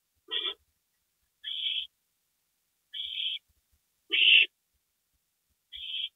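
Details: Owls at 2:05 AM on April 27, 2012, as a gopher is delivered as prey. Five harsh, breathy hissing calls of similar pitch, each under half a second, spaced about one to one and a half seconds apart. The fourth is loudest.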